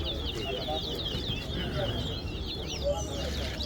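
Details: Chestnut-bellied seed finches (towa towa) competing at a bird song competition at Guyana National Stadium: rapid, sweet twittering of quick slurred notes without pause, over a steady murmur of crowd and voices.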